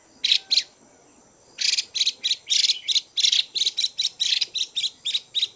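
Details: Caged female Chinese hwamei giving calls meant to excite males, a pair of sharp harsh notes, then after a pause a long run of rapid, evenly spaced rasping chatters.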